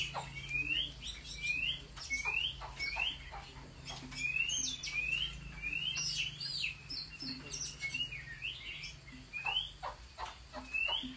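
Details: Chinese hwamei singing competitively at home, repeating short upslurred whistles about twice a second in a steady pattern, interspersed with sharp clicks and higher chips over a faint low hum.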